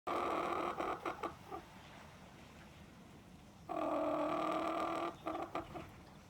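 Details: Chicken calling out of loneliness when not let into the house: a long, loud, nasal drawn-out cry near the start and another around four seconds, each followed by a few short broken notes, with quiet between.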